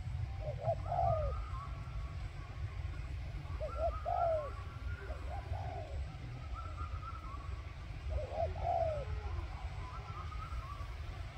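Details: Spotted dove kept as a decoy for luring wild doves: four soft cooing phrases about two seconds apart, each a quick double note ending in a drawn-out falling coo, over low steady background noise.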